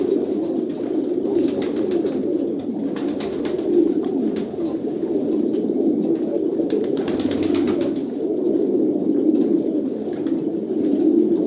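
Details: Steady chorus of low, rolling coos from a group of Kolkata pigeons, unbroken throughout, with brief scratchy noises and a few soft knocks around the fourth and seventh seconds.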